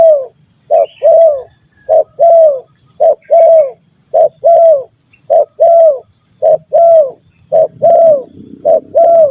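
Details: Stuttering-call 'gagap' spotted dove meeting another gagap, as in decoy trapping: a long run of low coo pairs, a clipped note followed by a longer downward-slurred coo, very regular about once a second, slight rustling noise near the end.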